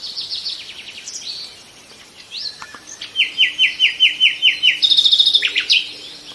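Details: Nightingales singing: a few high scratchy notes, then a clear run of about ten evenly repeated chirps at roughly three per second, closing with a fast buzzy trill; a steady faint hum runs beneath.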